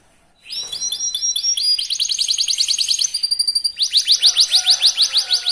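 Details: Young canary singing to draw other canaries into song: after a short silence, a rising series of high chirps builds into steady rapid trills, ending with loud repeated rolling notes.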